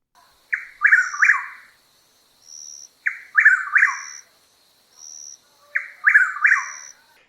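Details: Chuck-will's-widow, a nightjar resident in the southeastern US, repeating its rolling, whistled 'chuck-will's-WID-ow' about every three seconds, with a faint high insect-like tone between phrases.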